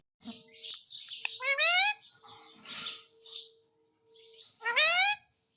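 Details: Talking Indian ringneck parrot at home: soft mumbled chatter broken by two loud, harmonic, rising squawk-like utterances, with a steady low electrical hum underneath.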